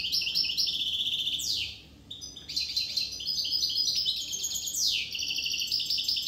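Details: European goldfinch from Corsica delivering a loud, dense twittering song of liquid, tinkling notes mixed with harsh buzzy sweeps. Two long phrases are separated by a brief pause.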